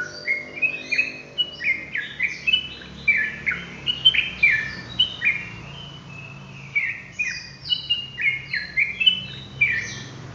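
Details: Sooty-headed bulbul in rapid ropelan song suitable for tutoring birds: rhythmic bursts of clear, chirping notes about every half second across the whole recording, bright and varied, over a soft background hum.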